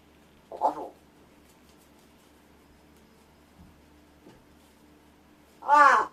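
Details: Rescued pet large-billed crow indoors doing vocal practice while its owner pretends to sleep; one short hoarse call, a long silent gap with faint clicks, then a louder, longer harsh, voice-like call.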